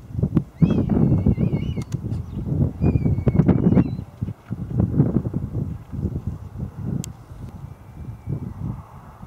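Red kites give thin, wavering mewing whistles that rise and fall in short bursts. A heavy low rumble of wind and handling noise runs throughout.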